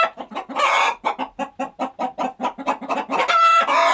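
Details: Chickens on a countryside farm. An early harsh cackle gives way to a steady stream of rhythmic, evenly spaced clucks, ending with a loud squawk and another raspy call.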